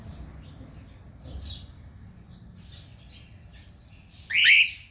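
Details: Pet cockatiel outdoors, giving one loud, sharp rising whistled call near the end, after faint scattered chirps from other birds in the background.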